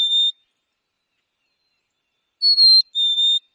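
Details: A Black-capped Chickadee in Wisconsin whistles its clear, pure fee-bee song, a higher note dropping to a slightly lower one, with a lone whistled note before it.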